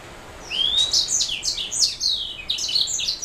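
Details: Canary-hybrid black-throat mule in song: a rising whistled slide leads into rapid, sharp chirped notes and brief trills, steady and high-pitched throughout.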